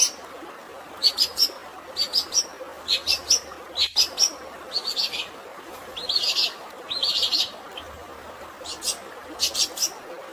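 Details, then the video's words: Long-tailed shrike song filled with fighting-sparrow phrases over natural water sounds: bursts of sharp, high chirps in short clusters, some rapid buzzy rattles near the middle, with a steady hiss of flowing water throughout. "CENDET ISIAN GREJA TARUNG DAN SUARA AIR ALAMI, UNTUK BURUNG STRES"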